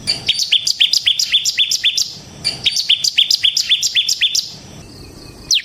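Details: Bar-winged prinia, a semi type kept as a cage bird, singing as a lure and master song for training: two fast bursts of sharp, high descending chirps, about four per second, then a lone rising note.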